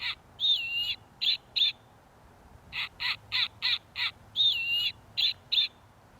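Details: Snowy owl; call; communicating with other snowy owls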